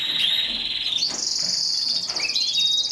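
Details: Mosaic canary producing a brief loud segment of dense rolling trills, shifting from a lower buzzy run to a higher ringing rattle.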